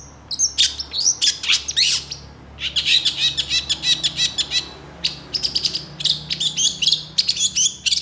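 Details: Long-tailed shrike song: rapid bursts of sharp, high chirps and scratchy notes in quick clusters, varied and mimic-like, with brief pauses between phrases and a quiet low hum beneath.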